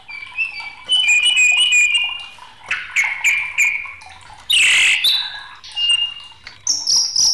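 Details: Agitated white-rumped shama singing in scattered phrases: short whistled runs, a loud harsh rasping burst, then a thin, high, clear whistle.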